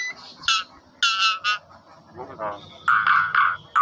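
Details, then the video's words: Nias hill myna producing an odd mix of sounds: sharp high whistled notes, a rough rasping phrase, then several loud harsh nasal bursts. "Suara burung jalak NIAS yang unik"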